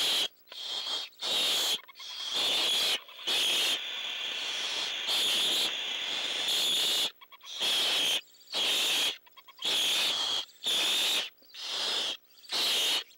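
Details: Repeated long, loud, rasping hisses from an owl at night, roughly one a second with short silent gaps, while owlets await prey delivery and add their own hissing; the bursts are described as defensive.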